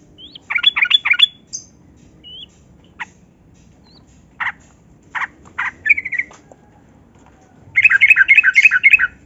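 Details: Yellow-vented bulbul song played to coax silent captive bulbuls: a short fast chattering burst, scattered single sharp chips and thin whistles, then a dense, rapid rolling phrase at the end.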